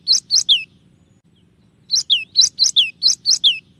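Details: Cinereous tit, called gelatik batu, in a clear tembakan-style song. A brief three-note phrase of rising then dropping whistles is followed by a pause, then seven more quick, similar slurred whistles at an even pace.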